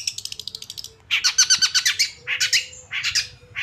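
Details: Long-tailed shrike of the Madura type, a kept songbird, singing: a fast train of thin high chirps, then loud harsh buzzy chattering phrases in bursts, with faint low tones underneath.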